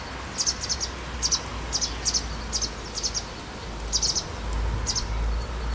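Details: A white wagtail, close by just before dusk on 12 April 2017, gives sharp, high two- and three-note chips at an irregular quick pace over a steady low rumble of distant background noise.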